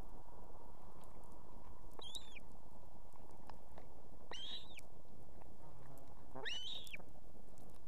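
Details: Female osprey on an Estonian nest with two chicks, calling the male in with food at evening: three separate sharp, arched whistled notes spaced roughly two seconds apart, with a persistent low background rumble.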